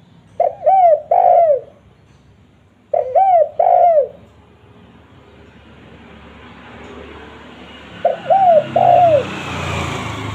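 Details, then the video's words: Spotted dove call, a lure for wild doves: three phrases, each two clipped, arched coos leading into a longer downward-sliding coo, spaced two to five seconds apart in quiet surroundings. "Suara Derkuku Paling Di idamkan Pemikat Tekukur - Suara Raja Pikat Tekukur 2023"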